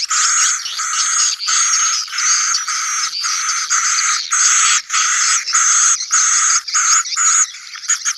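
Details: Colony of swiftlets recorded to attract young birds into new nesting buildings: bursts of thick, high chirping chatter roughly every second, separated by brief gaps, with many birds calling at once.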